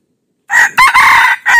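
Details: Red junglefowl crowing as a decoy bird to lure wild junglefowl: a loud, clipped crow in three harmonic bursts, the middle one longest, after a short silence.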